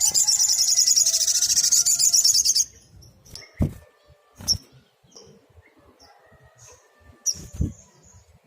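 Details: Sogok ontong, the brown-throated sunbird, singing a 'tembakan' burst: a long, very high, rapidly pulsed shimmering trill for over two seconds, then quiet with a few sharp thin chips and dull thuds.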